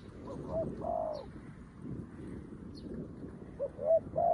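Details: Decoy spotted dove, a new bird, calling to draw wild doves: a brief note and long husky coo early on, then rising short notes and another coo at the end, partly masked by heavy rustling noise.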